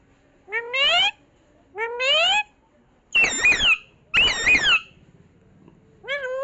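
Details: Parrot reportedly saying "mummy mummy" indoors: two rising, voiced, harmonic syllables, then two harsher, broadband, squawk-like bursts, and another rising call at the end, clear and loud with quiet gaps between.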